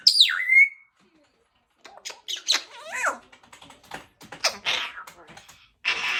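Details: African grey parrot kept as a pet, chattering in the afternoon: a swooping whistle, then rapid mumbled speech-like sounds, clicks and raspy notes ending in a harsh squawk.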